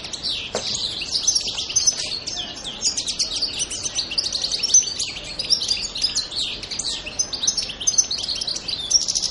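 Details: European goldfinch singing on Pantelleria island, Italy, on 2 January 2011: dense, continuous high twittering with quick tinkling notes and short buzzy trills, several overlapping phrases at once, over faint background noise.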